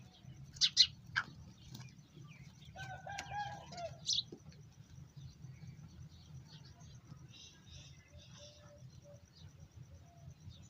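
Black francolin gives a few harsh, scratchy notes, then a brief buzzy, grating phrase, over a steady low hum with faint background chirps.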